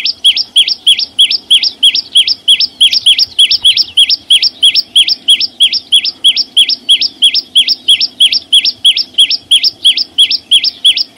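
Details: A flowerpecker sings in nature with no background noise, keeping up a long, fast, regular run of high two-part chirps, roughly three each second, every note bending upward then dropping, for over ten seconds without a break.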